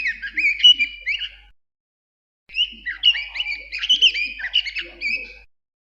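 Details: Warbled, whistled bird song of sliding high notes and quick trills in two phrases, the second longer and richer, with a quiet pause between and a faint low hum beneath.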